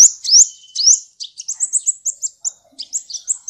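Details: Sunbird song from a tutor recording for caged songbirds: two sweeping, rising high whistles open, then a quick string of short, sharp, very high chirps, roughly three per second, with brief pauses. Clean, with no background noise.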